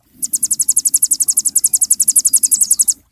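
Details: Cinereous tit (sogon) recorded as a master song for training songbirds: a high, fast trill of short sharp notes, about ten per second, running steadily for nearly three seconds before stopping abruptly.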